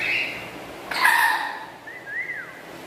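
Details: Pet black-capped lory with a loud, melodious voice: a rough buzzy squawk with a sudden harsh burst, followed by a brief clean whistle that rises and then falls.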